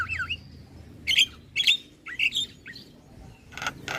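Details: Javan myna singing to lure other starlings into responding. Spaced, squeaky whistled notes are repeated roughly every half second, followed by two broad, harsh rasps.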